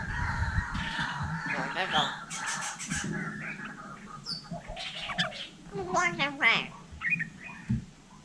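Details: Hill myna in Vietnam imitating human speech: a run of harsh squawks and talking-like voiced syllables with strong harmonics, broken by pauses, ending in sharp rising whistles; a low background hum underneath.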